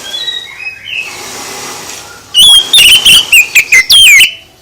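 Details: Oriental magpie-robin song used to goad other birds into responding: soft distant whistles, then a sudden loud two-second run of varied whistled notes with downward slurs and sharp chirps.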